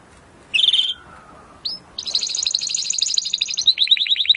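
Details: Timbrado canary song meant as training audio to improve canaries' singing: a short buzzy burst, a single rising note, then a long rapid rolling trill ending in quick hooked chirps.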